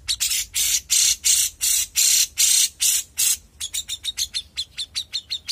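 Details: A young grey-cheeked bulbul singing vigorously gives a run of harsh, scratchy high notes about three per second, then quicker, clipped chattering bursts.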